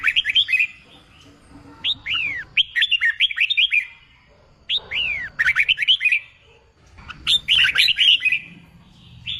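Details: Red-whiskered bulbul singing for contest training of a newly caught bird: three bursts of quick, warbled whistles sweeping downward, each burst of about a second separated by short quiet gaps.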